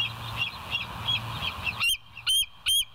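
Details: Bald Eagle at the West End nest, live nature cam, 25 September 2023 at 7:00 in the morning; faint high chatter, then three loud, sharp, piping notes with a slight upward inflection, over a steady low hum and rushing background noise.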